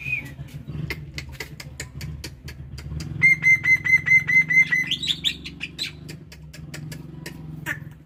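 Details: Black-winged myna in morning song: ticking clicks, then a string of about eight sharp, evenly spaced whistled notes, a brief high flourish, and more scattered clicks over a low background hum.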